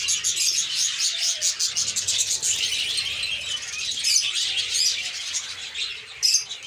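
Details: A colony of lovebirds in their egg-laying and chick-rearing season. Many birds give dense, overlapping high-pitched chirps and twitters without a break, with a brief louder burst near the end.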